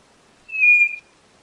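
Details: One clean whistle from a white-bellied nothura, a steady high tone held for about half a second with no other sound.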